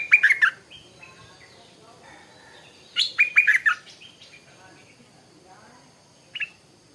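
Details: Stripe-throated bulbul singing in the morning: bursts of bubbly, liquid notes sliding down through the mid range, one phrase at the start and another about three seconds later, then a short single note, with quiet background between.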